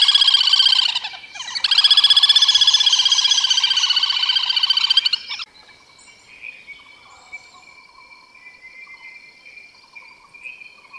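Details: Wild little grebes feeding their chicks: a dense, rapid high trilling chatter of repeated notes, about four per second, loud for five seconds with a brief break, then fading to faint scattered peeps and thin background tones.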